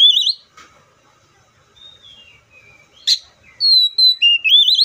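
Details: Oriental magpie-robin singing: a wavering high whistle opens, then scattered thin whistled notes, a sharp burst near the middle, and a loud run of clear sustained and rising warbled whistles at the end.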